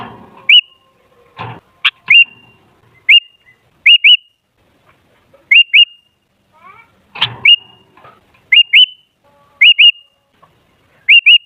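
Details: Sooty-headed bulbul lure song: repeated short bright whistles, each rising with a hooked flick, mostly in quick pairs spaced about a second apart, with some soft knocks and rustling between.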